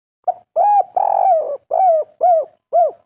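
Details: Local wild-type spotted dove cooing in the kuk3 style: six soft, warm, arched coos, the middle ones long and drawn out, the last ones shorter, about two per second, with a quiet background.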